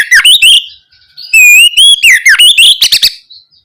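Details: Lure song of an oriental magpie-robin, ngeplong gacor style, meant to stir young birds into replying: a few short chips, a pause, then a long clear whistle sliding upward into looping notes and fast staccato clicks.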